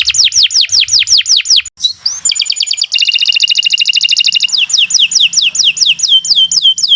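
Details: Canary song for teaching other birds: a string of quick descending whistles, a brief pause, then a dense rapid buzzing trill and more falling sweeps at a fast steady pace.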